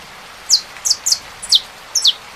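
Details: Saffron finch: a few high, falling chirps, some doubled, at irregular intervals against a steady background hiss.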